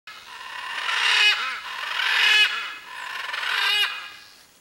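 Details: Blue-and-yellow macaw (Arara-canindé) vocalizing to locate its mate: three loud, harsh, raspy squawks about a second long each, rising then falling, spaced roughly one and a quarter seconds apart.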